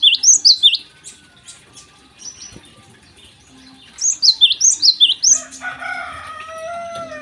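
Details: Java sparrow singing in the morning: bursts of high, rising chip notes in quick runs of about five, a pause, then another run, followed by a longer drawn whistled phrase.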